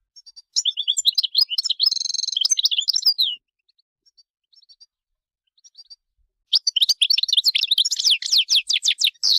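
A goldfinch sings two bursts of rapid, high twittering with buzzy trills and tinkling notes, separated by a few seconds of near-silence with faint chips.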